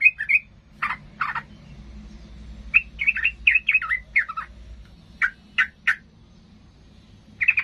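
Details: Sooty-headed bulbul in agitated mood, its song said to make rivals furious and fight. It gives scattered sharp chips and short clusters of slurred, bubbling notes, with irregular gaps between phrases.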